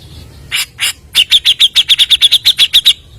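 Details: Grey-cheeked bulbul used to lure other birds: two harsh notes, then a rapid steady series of about fifteen sharp repeated chirps.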